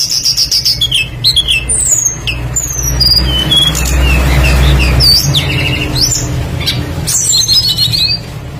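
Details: Tledekan flycatcher song used as a lure to get other birds singing: a quick series of high whistled and slurred notes, partly covered midway by a loud low rumble like a passing vehicle, then more sharp whistles.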